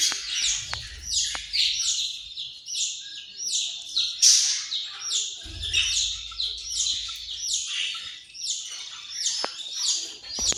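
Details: Australian parrot chattering continuously with rapid, shrill, squeaky notes in uneven bursts, each chirp dropping in pitch; occasional sharp taps and a soft low hum at times.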